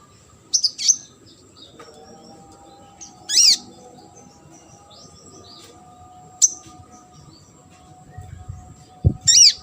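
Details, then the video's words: Sunbird calling on a tutor recording for competition birds: single high, sharp, downward-swooping chirps spaced a few seconds apart, with a brief low knock near the end and a steady faint hum throughout. "KONIN GACOR ISIAN MASTERAN UNTUK BURUNG LOMBA."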